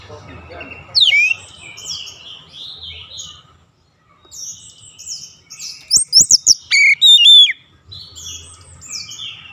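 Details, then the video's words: Oriental magpie-robin song for daily training toward a long rolling song: scattered high whistled and scratchy phrases, a quiet gap mid-clip, then a loud burst of sharp repeated whistled notes near the end. "TERAPI HARIAN KACER CEPAT NGEROLL PANJANG"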